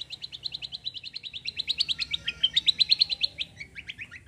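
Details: Chatty bulbul song in a kombo roll style: a long, steady, rapid trill of high clipped notes, roughly six per second, running evenly for about four seconds.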